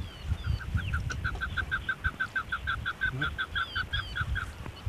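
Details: Female chukar partridge giving a steady series of short, clipped clucking notes, about four each second, over a low rumbling background.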